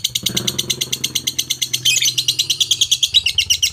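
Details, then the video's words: Lovebird of the fighter type, rapid high chattering song of dense harsh chirps pulsing several times a second, with low engine-like hum underneath. "Lovebird Fighter Digital"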